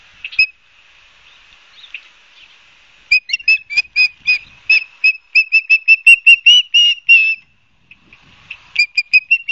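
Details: Nesting ospreys at Barnegat Light, New Jersey, mid-September 2022, give piercing whistled chirps: scattered single notes, then a fast rhythmic volley of some twenty shrill yelps, a brief silence, and a fresh burst at the end.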